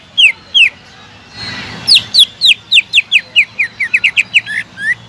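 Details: Greater green leafbird song as a lure for leafbirds that have stopped singing: two clear falling whistles, a short hiss, then a lively run of loud slurred whistles that grows quicker toward the end.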